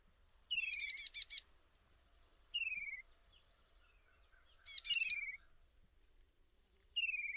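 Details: A slender-billed babbler in the tall grassland of Kaziranga National Park, Assam, India. It gives high, ringing bursts of quick repeated notes, each followed by a clear down-slurred whistle, about every two seconds, over a quiet background.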